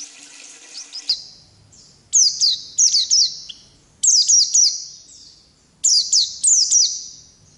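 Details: Oriental white-eye, a wild-type bird in lively rolling song: high, thin twittering phrases in bursts of about one second, separated by short pauses, with a faint low hum underneath.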